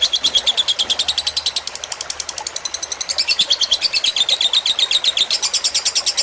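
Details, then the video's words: Fighter-style lovebird song used as tutor material, mixed with splashing water meant to calm the learning bird: continuous fast, high chattering chirps, briefly softer near the middle, then louder and denser trills over constant hiss. "Suara masteran lovebird fighter dengan gemericik air agar cepat masuk"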